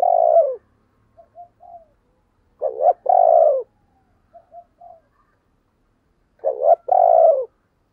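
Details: Decoy spotted dove calling to draw other doves into answering: three loud throaty croos about three seconds apart, each opened by a brief hiccuping note, with soft low murmurs in the gaps.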